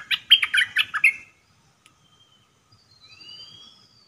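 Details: Decoy red-whiskered bulbul in a cage, singing its dok taeng style song on 1 September 2021; one lively phrase of about six clipped, warbled notes, followed by silence and soft high rising whistles in the background.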